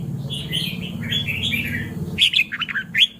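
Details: Red-whiskered bulbul giving lively chirpy whistled phrases, quick bright notes in a short series, with other soft chattering bird notes and a low hum behind.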